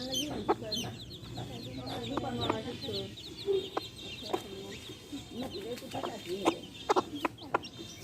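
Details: Hen with baby chicks, the chicks' thin high peeps fainter here, interrupted by short clicks and deeper clucking notes from the hen.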